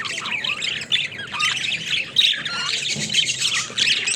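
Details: Budgerigars at play in their cage give harsh squawks and quick chirping notes in irregular bursts, several birds overlapping, with a few short whistles standing out from the scratchy chatter.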